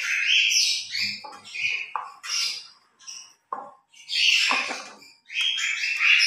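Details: Pet grey parrots playing noisily in the morning, uttering a varied series of squawks, clicks and high whistled calls in irregular bursts with short gaps between.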